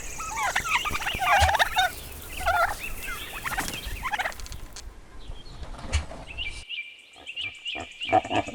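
A turkey gobbles in quick, rattling bursts that tumble downward, several in a row; a steady high whistle-like tone follows near the end.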